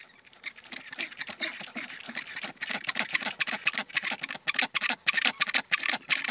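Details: Rockhopper penguins with chicks, nesting alongside black-browed albatrosses on West Point Island, Falkland Islands, call their mates in harsh, rapid bursts of rattling pulses. Several birds overlap in a continuous raucous colony chorus; each penguin's call is individually recognizable.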